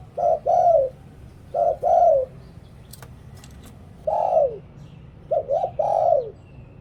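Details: Thai decoy spotted dove singing the Liw Tan style to lure wild doves. It gives irregular coo pairs and a long sliding coo, a brief double hoot, and a faint click near the middle.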